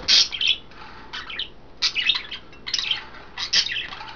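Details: Household budgerigars, five in all, three females bathing in greens or a water dish, dated 09.02.12; rapid rounds of shrill chirps and scratchy warbles arriving in bursts about every second.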